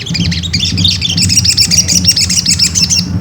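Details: Ruby-cheeked sunbird song played to goad another bird into singing: a dense, continuous stream of high, thin chirps and quick twittering notes over a low background drone.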